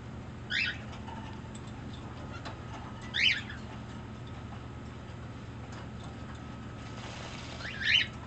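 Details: Pet green-cheeked conure being affectionate while making demands: three short, sharp, high squawks spaced a few seconds apart over a steady low indoor hum.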